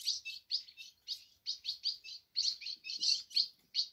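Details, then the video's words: Caged ultramarine grosbeak singing while gripping the side of its cage: a clean run of clear, rapid warbled notes, each short phrase falling slightly, delivered in an even quick rhythm without background noise. "Azulão pegada na lateral da gaiola"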